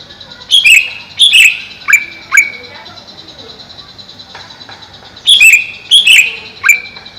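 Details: Caged greater green leafbird (cucak ijo) kept above a pond: loud, sharp slurred notes dropping from high to mid pitch, given in two bursts of three to four with a quiet pause between, plus a steady high background hiss.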